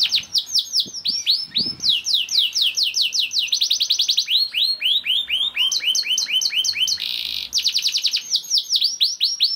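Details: Young canary singing, used to coax other canaries into singing: continuous varied song of rapid falling whistles and dense trilled tours, with a short harsh buzzy burst near the end.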